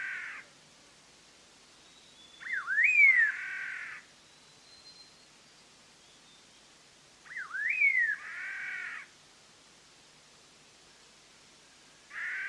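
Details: Black-hooded laughingthrush, a Vietnamese endemic of evergreen forest above 2,000 m in Dak Lak and Lam Dong, used as a trapping lure: harsh, nasal, harmonic phrases opening with a rising upswept note, repeated about every five seconds.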